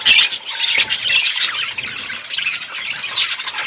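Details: Feeding parrot, February 25, 2024: a continuous stream of shrill, scratchy chirps and squawky notes packed tightly together, with no gaps.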